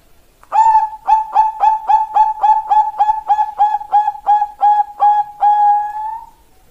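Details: Bangkok zebra dove, a female calling a male, as master and lure: a long, fast chain of some eighteen crisp, even coos on a level pitch, finishing with a longer, fading note.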